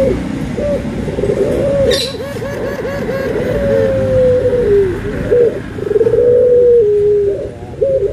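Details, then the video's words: Cooing anggungan of a puter, the Barbary dove, as white and brown doves are compared: a run of rapid bubbling notes running into a long level tone and a falling end, then more hooked coos, amid steady noisy rumble and a brief rustle. "PERBEDAAN SUARA ANGGUNGAN BURUNG PUTER PUTIH DENGAN PUTER COKLAT"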